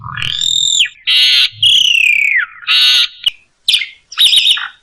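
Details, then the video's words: Asian pied starling song for training other birds, packed with fill phrases: clear rising and falling whistles alternate with short harsh buzzy bursts, then a few sharp clicks and a chattering twitter. "masteran jalak suren 1 menit langsung ikut bunyi ful isian mewah"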